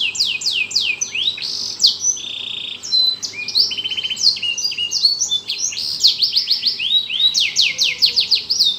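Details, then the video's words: Canary singing energetically inside a lovebird cage: a continuous, varied song of high swooping whistles, fast buzzy trills and rapid descending note series, with no pauses. "kenari gacor disangkar love bird"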